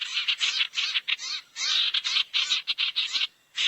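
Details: Lure recording meant to draw barn owls together: rough, hissy screeches in short bursts, several each second, broken by brief gaps and a longer pause near the end.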